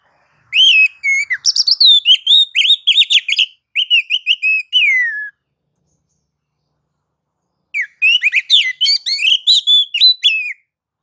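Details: White-rumped shama in nagan and ngobra song modes, used to provoke other shamas to sing: rapid bursts of loud whistled and twittering notes with rising and falling slurs, a pause of a few seconds, then another fast phrase.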